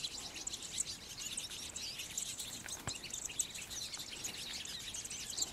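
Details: Citron-headed yellow finch flock recorded in Yavi, Jujuy, Argentina, in May 2015, with a pair courting and feeding; constant high, sibilant chirping from many birds, with one brief soft thump.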